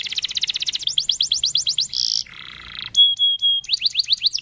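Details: Rolling canary song meant to prompt other canaries to join in: a fast even trill, a harsh buzz, a lower rasp, then a clear sustained whistle and more quick slurred notes.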